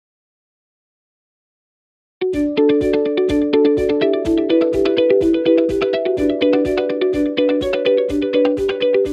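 Silence for about two seconds, then steady plucked guitar music with a regular strummed beat; no animal voice is heard.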